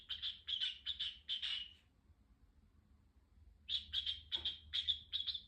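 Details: Pet cockatiel chirping indoors in two bursts of quick, high, repeated tweets, each note short and slightly buzzy, with a quiet pause between the bursts and a low hum underneath.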